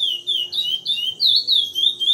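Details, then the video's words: Short burst of Praia Grande classic song from a captive chestnut-bellied seed finch in Brazil, a few clear whistled notes sliding down and up, with a steady faint low hum underneath. "CURIÓ PRAIA GRANDE CLÁSSICO"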